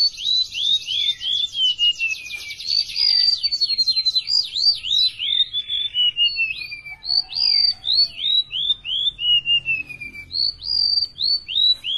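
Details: Golden-bellied gerygone, a tame and very active singer, pouring out repeated phrases of high downslurred whistles mixed with buzzy trilled passages, with barely a pause over twelve seconds.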